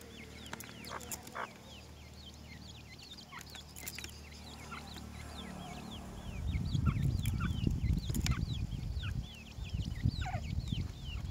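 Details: Many grey francolin chicks call together while feeding, a continuous patter of thin, high, slurred peeps. Low rumbling noise grows louder in the second half, with occasional sharp clicks.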